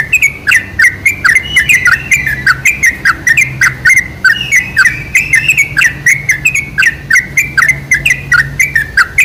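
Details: Lure recording of sooty-headed bulbul song for triggering bulbuls into song: a dense flurry of quick, clear chirps and little down-slurred whistles, steady throughout, with a faint low hum behind.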